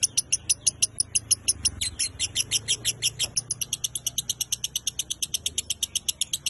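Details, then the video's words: Lovebird singing the 'konslet minor' style used as Indonesian masteran training material: an unbroken run of rapid, rasping chips, around three per second, sharp and high, steady throughout. "MASTERAN LOVEBIRD GACOR KONSLET MINOR"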